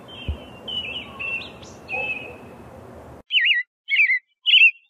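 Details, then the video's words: A European robin sings thin, high, warbled phrases, first against a hissing background, then three short trilling bursts about half a second apart in near silence. "Птица малиновка. Пение"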